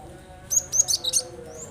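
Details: Cinereous tit sounds meant to set other birds singing: a quick rippling run of five or six high bright notes, then a thin rising whistle, over a low background hum.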